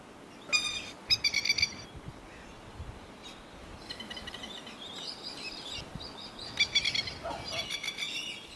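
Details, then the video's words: Lapwings (plovers) living around a neighbourhood with their young give short, nasal, reedy calls in quick clustered bursts, several times over, against a steady outdoor hiss. "Plover / Lapwing bird call"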